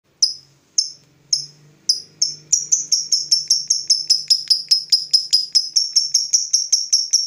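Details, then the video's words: Fighter lovebird provoked into answering: a few spaced, sharp high ticks about half a second apart, then a fast, even run of bright repeated notes building into the long ngekek trill. "Lovebird FIGHTER terpancing Panas, nyaut Ngetik lanjut Ngekek Panjang"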